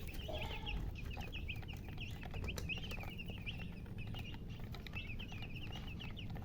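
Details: Colored chickens with a hen chirping: continuous rapid, high, twittering peeps overlapping one another, with a brief lower note near the start and steady low rumble beneath.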